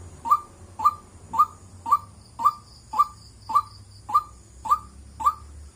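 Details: A White-breasted waterhen gives a steady run of short, hollow mid-pitched notes, about two each second, over faint background hiss.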